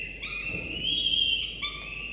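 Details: Two falcon chicks about 24–25 days old in a nest on a morning, sleepy but being fed prey by their father; a drawn-out, strained whistling cry swells and holds, rich in harmonics, then a second cry begins.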